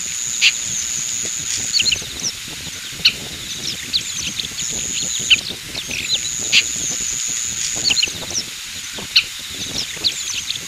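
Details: Oriental pratincole (Glareola maldivarum), call.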